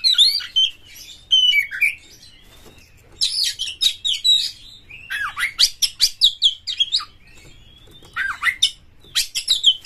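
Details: Oriental magpie-robin harsh-material lure song to prompt other magpie-robins to sing: varied bursts of scratchy, buzzy notes and steep whistled slurs, delivered in quick runs with brief pauses between.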